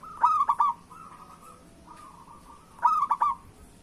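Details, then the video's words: Lure song of a local zebra dove, meant to prompt other doves to sing. Two sharp stuttered coo phrases of three to four notes stand about two and a half seconds apart, linked by soft, drawn-out rolling coos. "Perkutut Lokal Gacor Suara Pancingan Burung Perkutut Paling Cepat Bunyi"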